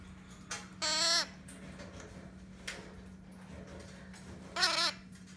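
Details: Red-shouldered macaw chick being hand-fed, calmly eating plenty and steadily gaining weight. Two harsh, nasal, wavering squawks rich in harmonics, about a second apart at the start and near the end, over a faint steady hum and soft clicks.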